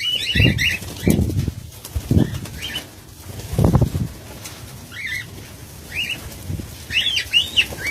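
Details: Cockatiels in a colony, recorded in 2019: repeated short warbling calls scattered through the clip, mixed with low thumps and rustling from the birds and steady background noise.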